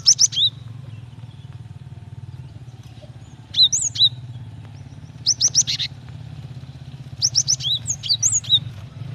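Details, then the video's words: Female Java sparrow calling the male to encourage singing: scattered groups of sharp high chips and looping slurred whistles across nine seconds, against a steady low engine drone from passing vehicles. "Gelatik betina gacor memancing bunyi"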